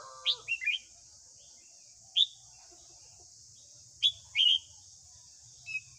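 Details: Morning song of a white-cheeked red-whiskered bulbul, used to train young caged birds: short bright warbled phrases and single sharp notes spaced a second or two apart, over constant high-pitched background hiss.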